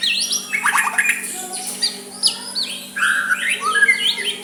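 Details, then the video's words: Soft song of a white-rumped shama, used to goad a rival into answering: rich, varied phrases of quick descending sweeps, chirps and warbled whistles, rising and falling, with brief pauses between bursts. "Murai batu suara lembut cocok untuk MEMEKAT lawan ikut emosi dan saling balas"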